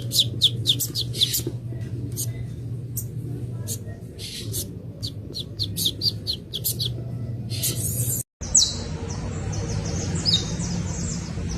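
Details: Young saffron finch giving clusters of bright, high, downward-sliding chirps, irregularly spaced over about eight seconds above a steady low hum; after a brief cut, a noisier stretch follows with a faint high sweep.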